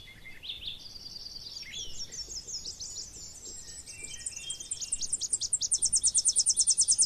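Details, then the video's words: Tennessee warbler singing: high, thin chips at a moderate pace that quicken and grow louder, ending in a fast, ringing, even trill of very high notes. Faint other bird notes sit beneath. "El Chipe Peregrino"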